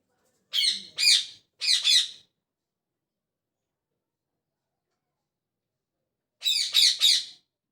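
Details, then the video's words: Parrot chirping in the morning, giving harsh, buzzy chirps in quick pairs and triplets, then a long silence before another rapid burst of three chirps, with no other sounds. "Parrot Chirping At Morning | Parrot Sound"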